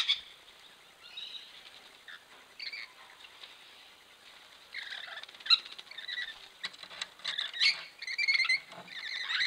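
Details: Wild Rainbow lorikeets (Trichoglossus moluccanus) at a bath, caught by a camera trap: scattered harsh, screechy squawks and chatter, quiet at first and then busier, mixed with splashing patter.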